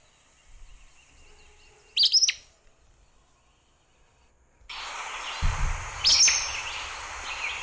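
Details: Acadian Flycatcher (Empidonax virescens), a migrant flycatcher among the birds of Sonso Lagoon near Buga, Valle del Cauca, Colombia, gives its call: two sharp, explosive high 'peet-sa' notes about four seconds apart; hiss and clatter cover the second half.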